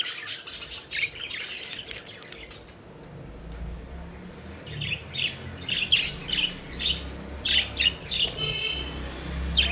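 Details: Budgies chirping while they play, scattered squeaky chirps at first, then a run of sharp repeated chirps roughly twice a second, over a low background rumble.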